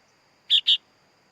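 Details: Sooty-headed bulbul chick giving one quick pair of harsh, buzzy, scratchy notes over a faint steady high-pitched hum.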